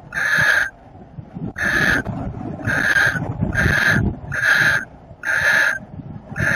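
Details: Barn owl calling during copulation, recorded 30 April 2018: harsh, hissing screeches, each about half a second long, repeated roughly once a second, seven bursts in all, over a low rumbling background.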